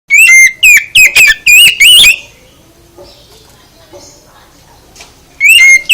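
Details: Oriental magpie-robin song played to provoke other birds into answering: a burst of loud, clear whistled notes with sharp rising and falling slurs over two seconds, then a quiet gap with faint background, then the whistling resumes.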